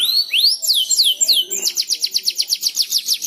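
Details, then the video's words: Young canary learning to sing, prompted by another canary's song: clear whistled sweeps falling from high to mid pitch, then a fast, even trill of bright repeated notes, about eight per second, in a quiet setting. "Suara Burung Kenari Belajar Ngeriwik"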